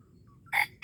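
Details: Red junglefowl heard during a luring session at Darul Kamal, Aceh: two loud, harsh, rasping bursts, the second cut off at the end, over a quiet low rumble.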